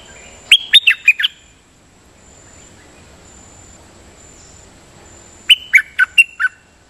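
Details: Decoy song of a champion sooty-headed bulbul that repeats its phrases: a quick phrase of five sharp whistled notes, a quiet gap of about four seconds, then a matching five-note whistled phrase.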